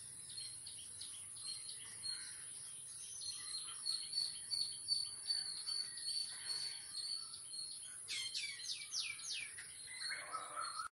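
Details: Jungle babblers, locally called Sath Saheli, visiting a house where they are fed biscuits; mixed chattering notes, then a burst of harsh, rapid, scratchy calls near the end, over a steady high insect whine throughout.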